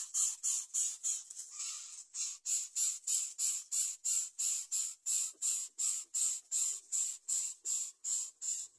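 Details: Young greater coucal crying for food: loud, very high, hissy squeaking notes repeated steadily about three times a second throughout, each a short harsh burst, with no other clear sounds.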